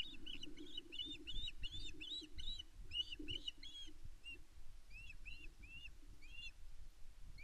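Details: Female osprey at Loch Arkaig Nest One, Scotland, on 5 May 2024, calling to her mate for fish while he ignores her: a series of short high whistled chirps, clustered then spaced, over low rumbling wind noise.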